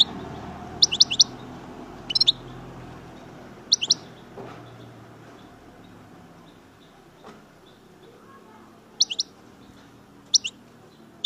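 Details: European goldfinch, chardonneret from Algeria of the major type, giving sparse short bursts of two or three sharp high chirps spaced several seconds apart, against steady low rumbling noise.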